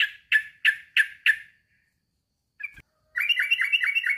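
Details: Male sooty-headed bulbul calling a rival: four harsh, evenly spaced chirps, a brief click, then a steady fast string of bright, bouncing downslurred notes.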